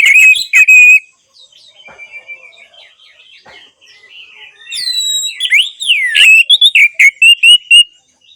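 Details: Orange-headed thrush song, played as therapy to get silent birds singing again. It opens with a loud, clipped burst of high whistles, goes quiet with faint scattered notes, then returns with rapid, varied, sliding whistles and a quick run of sharp repeated notes.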